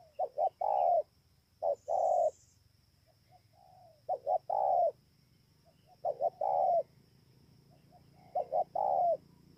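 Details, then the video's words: Spotted dove, Bờ Y, Kon Tum, Vietnam, 28 November 2017, cooing steadily: five phrases of two brief notes ending in a long deep coo, repeated roughly every two seconds, with soft extra notes between. "CU GÁY"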